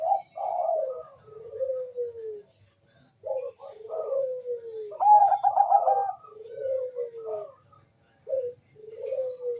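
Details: Bangkok-type zebra dove calling rapidly while a rival answers, kept as a lure bird: repeated soft cooing notes, each ending in a long descending whistle, with a bubbling trilled burst midway.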